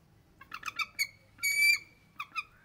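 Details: Bald eagles calling: a few clipped, squeaky notes, then a longer strained whistle, and two more short piping notes over faint low background rumble.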